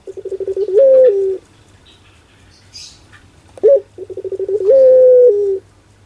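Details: Puter dove in the pelung style cooing: accelerating stuttered pulses swell into a long sustained flat coo with a falling tail, then a brief sharp note and the sequence again, over a faint low hum.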